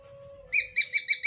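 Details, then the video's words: Sumatran leafbird (Sumatran yellow-headed form) giving a rapid burst of five loud, bright notes, about six a second, after a faint steady low hum. "CUCAK IJO GACOR TEMBAKAN SAD1S ❗❗ Suara Cucak Hijau Kepala Kuning Em0si"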